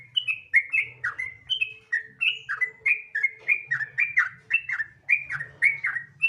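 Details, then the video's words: Gacor ropel song of a sooty-headed bulbul, played as a lure to make other bulbuls sing: chattering liquid whistles in quick succession, many notes falling then lifting, steady and unbroken, with a soft low drone beneath. "Pancingan Trucukan Gacor Ropel Santai Sangat Ampuh Bikin Trucukan Lain Cepat Bunyi Gacor Ropel"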